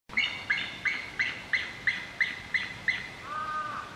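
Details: Two captive bald eagles at a Nagoya zoo call back and forth, one perched above the other and preening, on 9 July 2021: a thin, high chittering series of nine piping notes, about three per second, ending in a lower, drawn-out whistle.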